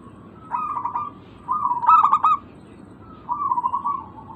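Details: Local zebra dove calling, used as a lure to prompt silent birds: three softer phrases of rolling, pulsed coos, the middle one loudest, separated by brief pauses.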